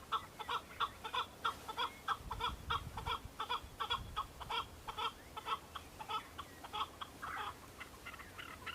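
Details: Several male Chukar partridges calling and fighting on Bamo mountain, Kurdistan, displaying to females in breeding season; dense repeated chuck-chuck notes at a rapid, slightly uneven pace, with a brief low rumble midway.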